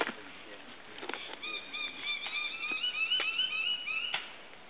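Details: Male King-of-Saxony bird-of-paradise calling from a roadside dead snag in the Tari Valley, 6 July, giving a wavering, nasal, buzzy run of high notes about three seconds, with sharp knocks and clicks; King of Saxony bird-of-paradise.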